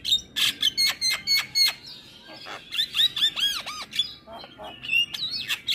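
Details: Energetic Javan myna song used to provoke and tutor young mynas: a row of sharp squawky notes, then arching whistled slurs repeated three times, followed by scratchy chatter.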